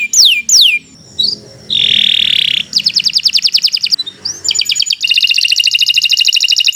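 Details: Canary singing long and continuously, a tutor recording for other birds to learn from: two steep falling whistled sweeps, a harsh buzzy roll, a fast rattling trill, then a dense rapid chattering trill to the end.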